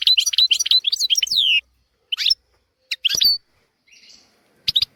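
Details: European goldfinch song for tutoring young goldfinches and canaries: an opening burst of quick liquid twitters with a descending slurred note, then isolated short chirps spaced over the rest of the recording.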